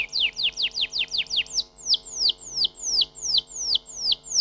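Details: Canary song of repeated downward-sweeping whistles, first a fast run of about eight, then a slower, louder series spaced roughly a third of a second apart.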